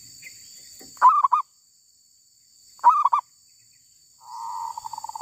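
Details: Wild female zebra dove with two short bursts of quick cooing notes about two seconds apart, then a softer rattling trill of rapid pulses; a constant high-pitched hiss sits in the background.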